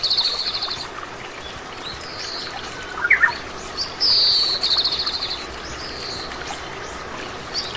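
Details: Oriental greenfinch, common resident bird in Korea, delivering high buzzy trills and descending whistles in bursts, a sharp chirp near the middle, set against a steady rushing sound like a stream.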